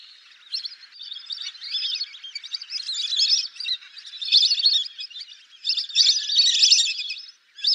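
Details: Lesser whistling ducks calling: a continuous stream of thin, high, chirping whistles that rise and fall in bursts, with brief pauses between busy clusters of notes.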